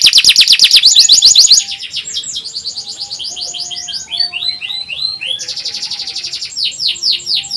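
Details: Canary song for training young canaries to sing: an opening burst of loud fast trilling, a softer stretch of varied chirps and slurred whistles, then renewed rapid trills.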